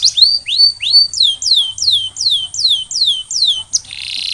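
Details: Canary song meant to stimulate other canaries to sing, made of a series of loud rising then falling whistled slurs repeated about three times a second, ending in a brief buzzy burst.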